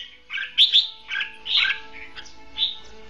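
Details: Caged red-whiskered bulbul decoy in competitive song for trapping; a few short, bright whistled chirps and slurred notes over a steady faint background hum.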